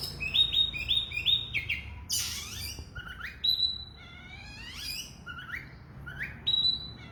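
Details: Oriental magpie-robin song of short, clear whistled notes in quick series with some harsh bursts, interspersed with rising slurs; low background hum.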